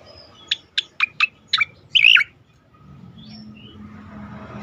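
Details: Sweet Cica koreng song used for training songbirds; five sharp, evenly spaced high chirps followed by one longer warbled, twisting note, then quiet.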